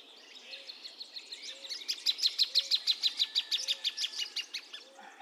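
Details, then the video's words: Plain thornbird delivering a long series of about twenty bright, clipped notes that build in loudness, peak midway and taper off, while a soft low note repeats about once a second in the background. "Kicauan Burung Plain Thornbird"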